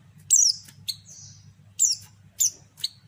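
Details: Female white-eye calling to draw males: quick run of high, sweeping chirps, some followed by short buzzy tails, about five notes in three seconds, faint hum below.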